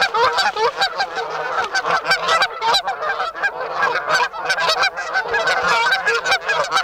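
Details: A vintage recording of a flock of Canada geese honking without pause, with many nasal, overlapping calls forming a dense, clamorous chorus.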